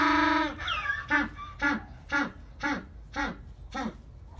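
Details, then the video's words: African penguin braying like a donkey at a seabird and penguin rehabilitation centre in Mossel Bay, South Africa: a long, harsh, harmonic note, then about six short honking pulses, roughly two per second. "African Penguin choir"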